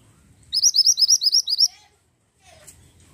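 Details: Pied bushchat (mantenan gunung) in full song: roughly ten bright, rising whistled notes in rapid succession over a second, followed by quiet and a few faint low sounds.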